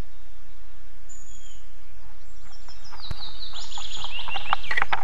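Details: Osprey at an Estonian nest on 11 July 2022, where a strange female and a male have arrived. A few thin whistles give way to a loud, fast run of sharp descending chirps that grows stronger toward the end, over rumbling wind.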